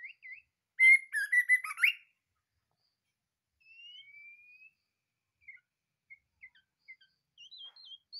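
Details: Captive white-rumped shama from a breeding cage: a loud burst of scratchy trilled notes, then after a gap a soft rising whistle and scattered quiet high notes with short wavering whistles.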